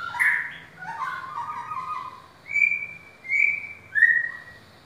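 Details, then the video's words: Caged white-rumped shama on sale, opening with a warbled burst of mixed notes, followed by three clear separate whistles, the last one sliding down. "murai Batu balak"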